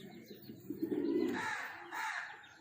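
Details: A breeding pair of pigeons; a low, soft coo swells for about half a second, followed by fainter, higher bird chirps and light background noise.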